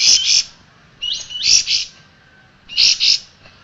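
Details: Striated grassbird song used for cage-bird training: three phrases of loud doubled chirps, the middle one preceded by a short rising whistle, with quiet gaps between.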